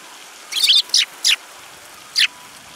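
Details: Sparrows recorded on 30 December 2017 give four sharp, high chirps: three close together, then a pause and one more. The background is quiet.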